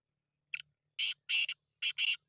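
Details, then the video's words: Grey francolin, Babu Sindhi type, caged chakri caller credited with 270 calls a minute: a short rough note, then a pair and another pair of loud grating notes close together, nothing else audible. "Aik mint ki 270 awaz + chakri wala teetar"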